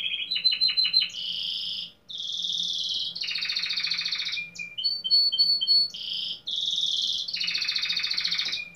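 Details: Belgian-type domestic canary with fibra song during a 15th-edition singing competition in Pelotas, Rio Grande do Sul, Brazil, delivering quick descending stuttered notes, long dense buzzy rolls, thin high whistles and another rich trilled passage.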